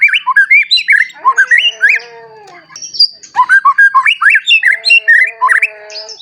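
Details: White-rumped shama, a newly matured bird in full song, used as a lure to stir other shamas into singing. A rich, fast run of varied whistles and chattering notes, with lower sliding whistles held beneath, pausing briefly near the middle.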